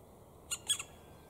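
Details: Black woodpeckers with their young, Grycksbo, Dalarna, Sweden, 5 June 2019: two or three quick, harsh, high squawking notes in under half a second, against a quiet background.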